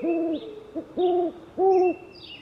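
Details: Owl uttering three separate, flat, hollow hoots, each about a third of a second long, with a tiny hoot between the first two. Faint high bird whistles are heard behind.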